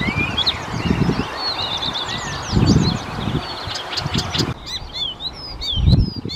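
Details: An Icterine warbler (Hippolais icterina) in Czechia sings a fast, jumbled run of varied high whistles, chirps and slurred notes, over low rumbling gusts of wind. Icterine warbler.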